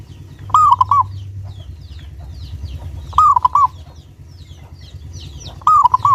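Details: Local zebra dove with a clear, lively voice, used as a lure to get other zebra doves singing. It gives three rolling cooing phrases about 2.5 seconds apart, each with a short opening note and quick bubbling coos. Faint high chirps from other birds and a low hum are also heard.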